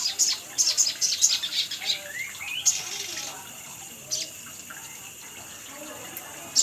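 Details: Lure recording of a sunbird: quick, high, thin chirps repeated several times in the first two seconds, a brief rising whistled note, then sparse single high chips.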